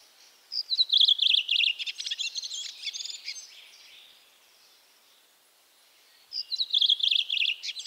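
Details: Redwing (Turdus iliacus) song: two high phrases about six seconds apart, each a few quick descending notes running into a scratchy, twittering chatter, with a quiet gap between.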